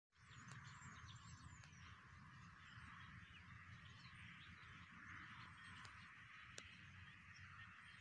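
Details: Migrating flock of common starlings from Russia in Pakistan: a dense, steady wash of squeaky, twittering chatter with no pauses, over low rumbling background noise.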